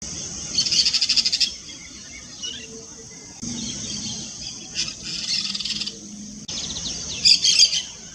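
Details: Yellow-chevroned parakeet giving shrill, high buzzy chatter in three separate bursts, each a fast run of rasping pulses, with quiet gaps and a faint low hum between them.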